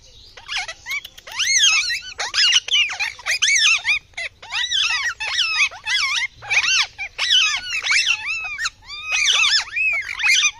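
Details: Rose-ringed parakeet calling: a run of harsh, squealing, rising-and-falling screeches, uttered in quick bursts with short breaks, continuing for about ten seconds.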